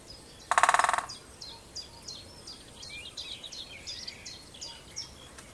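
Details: A male great spotted woodpecker in the UK breeding season drums on an ancient oak to proclaim territory: one rapid, half-second roll of about a dozen strikes, amid dawn-chorus chirps and twitters from other birds.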